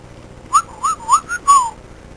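A cockatiel gives a quick run of five short, clear whistled notes, each slightly rising then falling.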